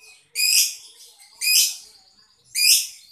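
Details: Lovebird kept in the Boyolali area; three loud, harsh, high screechy notes, each about a third of a second long and spaced roughly a second apart, with faint squeaks between.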